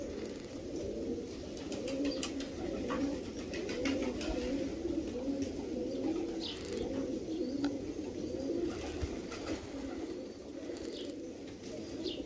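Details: Koros Tumbler pigeons, a Hungarian breed, cooing in soft low repeated phrases roughly once a second, with a steady murmur of several birds and occasional clicks and rustles in the background.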